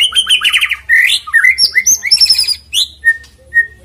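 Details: Lure recording of a white-rumped shama singing: rapid buzzy trills and rattles followed by high whistled slurs, then the phrases thin out into a few isolated short whistled notes with gaps.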